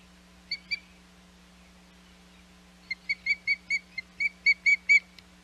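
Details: Osprey at its Hog Island nest, 21 May 2021, giving two quick piping notes, a pause, then a run of about ten clear whistled chirps, evenly spaced and rising slightly in strength, with a constant low hum behind.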